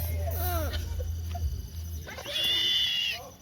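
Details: Snowy owl at a New York zoo, filmed 13 September 2025 during an evening zoo fundraiser; a high, thin, steady whistled note of about one second follows people talking nearby.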